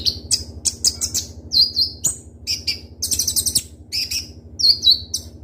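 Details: Konin, Van Hasselt's sunbird, in lively full-repertoire song with sharp rapid bursts: high piercing whistles and squeaky chirps in quick clusters separated by short pauses, with a constant low hum beneath.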